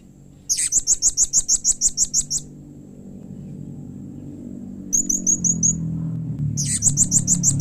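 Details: Blue-crowned hanging parrot, its call said to draw quick responses from other hanging parrots: long runs of rapid, evenly spaced high chips, about a dozen per burst, over a rising low hum.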